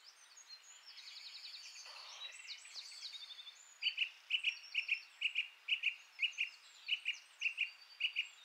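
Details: Song thrush singing a scratchy, twittering phrase, then repeating one short sharp note steadily about twice per second for several seconds.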